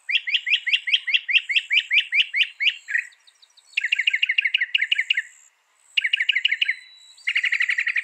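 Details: Northern mockingbird singing a loud, fast song: rapid trains of sharp repeated notes, each phrase repeated many times before switching, with short pauses between bursts; a faint high thin tone runs above.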